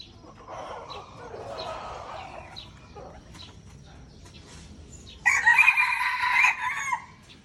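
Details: Crowing duel in Aceh, Indonesia, pitting a pure red junglefowl against an F1 hybrid; after several seconds of faint murmuring background noise, a single loud, raspy crow bursts out for over a second, ending abruptly.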